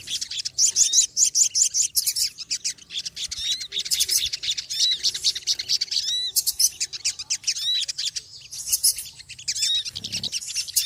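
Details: Noisy small birds: rapid high-pitched chirps and tweets in crowded bursts, with a few clear upswept whistles and a low thump near the end.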